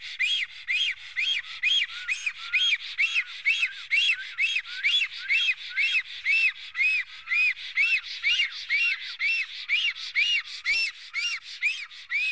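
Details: Black stork defending its nest in Estonia on 15 April 2018 near noon: a steady series of harsh, arched whistled notes, about two per second, each with a raspy, hissing edge, continuing without pause.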